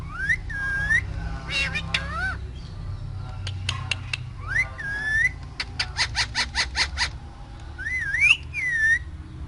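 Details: Caged talking parrot giving harmonic whistled notes that rise and bend, mixed with sharp dry clicks and a quick run of pulsed chattering notes midway, over a steady low hum.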